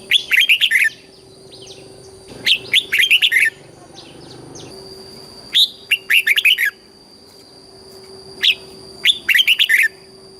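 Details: Red-whiskered bulbul in southern-style master song for stimulating and training caged birds: four rich, rollicking warbled phrases spaced a few seconds apart, each a quick run of bright liquid notes, over a faint steady hum.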